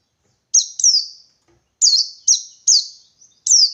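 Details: Forest white-eye seeking an opponent, in the 123-beat style. Two high sharp descending notes are followed by a pause, then a quick series of three or four thin, piercing downward chirps against silence.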